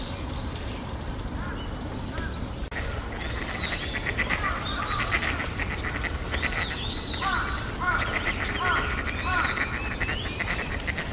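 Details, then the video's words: Mallard, male and female, calling outdoors: a run of harsh, stacked quacking notes, irregular and overlapping, some in quick clusters, over steady low background rumble. "マガモ♂♀の鳴き声（ガァハッハッハ，ヒィ ，ゲッ ゲッ ゲッ，ゲゲゲ ゲゲゲ，など）"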